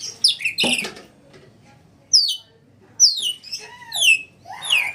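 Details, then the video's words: Red lory producing piercing, descending squeals and harsh shrieks in short bursts separated by brief silences. "NURI MERAH - Red Lory kicau"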